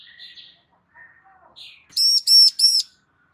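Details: Female Bar-winged prinia calling for a male to answer. Three loud, even, ringing high notes come in fast succession after a few faint soft chirps.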